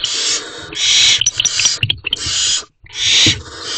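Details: Barn owl in a nest box at night, 8:34 pm on 30 April 2023, as the male delivers food and quickly leaves; harsh, breathy hissing screeches in several bursts, broken by clicks, knocks and rustling movement.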